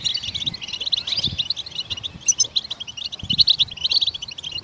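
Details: Goldfinch twittering, meant to set other songbirds singing: a steady run of quick, sparkling chirps and short buzzy trills from several overlapping birds, with occasional sharper high notes and faint low bumps.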